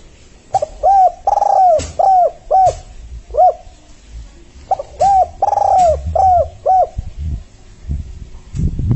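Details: Spotted dove, called tekukur, calling to lure other doves for trapping; two bouts of soft hollow coos, each a short lead note, a long rolled coo and two or three falling notes, with faint clicks and bumps between.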